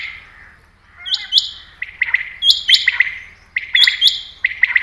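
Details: Common quail call used as a hunting lure, described as a female quail: quick, liquid three-part calls, sharp high notes dropping onto a clipped lower note, repeated in bursts about every second over a faint low hum.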